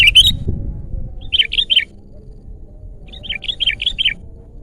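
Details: Kutilang, the sooty-headed bulbul, in vigorous song: one quick phrase, then a group of three and a group of four fluty, downslurred notes, over low background rumble.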